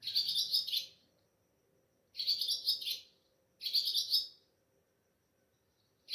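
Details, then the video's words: Pre-dawn Sehri-time calling of an Ababil, or swallow, heard at home under moonlight, recorded by mobile phone: dense, high, scratchy twittering phrases about a second long, repeating roughly every one and a half seconds with silent gaps between. "Sweet voice of Ababil Bird at Sehri"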